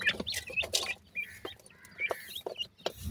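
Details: Indian francolin chicks giving short, high, slightly bending peeps at irregular intervals, mixed with sharp clicks and tapping handling noises throughout.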